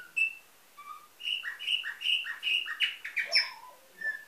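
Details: Domestic canary bred in Varna, Bulgaria in 2013, singing a nightingale-type song: a few separate whistles, then a rhythmic phrase of paired falling notes repeated about eight times, closing with a lone whistle.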